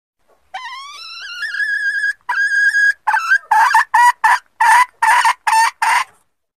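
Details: Female red junglefowl calling to mate, a lure recording: a long drawn-out rising tonal note, then a run of about eight clipped, cackling notes, evenly spaced and quite loud.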